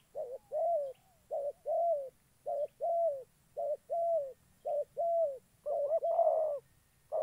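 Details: Spotted dove decoy used in dove trapping in Gia Lai, Vietnam, giving a fast run of about eight short two-part coos, roughly one per second, then a fuller rolling croo phrase before the series resumes.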